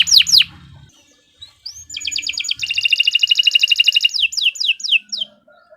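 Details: Canary song for teaching other birds: two sharp falling whistles, a pause, an upslurred note, then a rapid even trill that speeds up and ends in a few descending whistled sweeps; quiet background.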